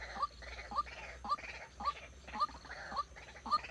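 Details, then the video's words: Decoy white-breasted waterhen kept for trapping, giving a steady series of short, upslurred, nasal notes, about two per second, with faint hiss behind. "Dợt chim cuốc mồi"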